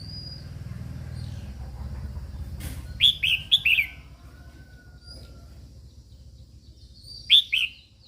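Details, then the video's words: Singing female red-whiskered bulbul rousing males, with a click followed by three ringing, downslurred whistles in quick sequence, a pause, and one more bright falling note near the end. "Chào Mào Mái Kích Trống Căng Lửa"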